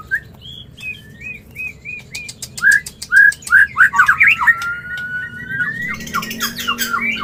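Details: Mating call of a white-rumped shama, used to stimulate breeding: a series of short, clear whistled notes, then quick slurred phrases and a long thin rising whistle mixed with brief harsh clicks.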